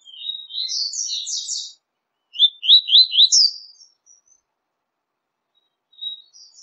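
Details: Double-collared seedeater song meant to stimulate caged birds: a busy high warbled phrase, then three quick rising chirps and a sharp upward note, followed by a few faint distant notes.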